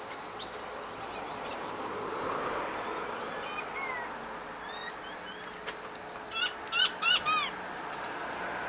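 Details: Captive finches in a home aviary shared with zebra finches, Gouldian, star and long-tailed finches, canaries, king quail and diamond doves: scattered thin chirps, then a quick burst of bright, nasal, stacked calls repeated several times near the end.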